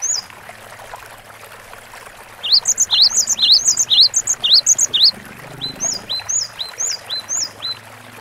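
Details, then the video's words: Cinereous tit bursting into repeated sharp upslurred whistles with high sweet notes, about two per second, then easing into softer falling two-part phrases; faint outdoor background. "GELATIK BATU GACOR DURASI PANJANG MASTERAN SUARA BURUNG KECIL"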